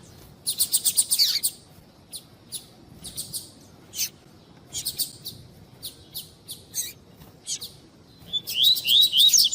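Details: Female white-bellied seedeater calling to warm up a male: fast high chirp bursts and single chips, ending with a run of short whistled upslurred notes.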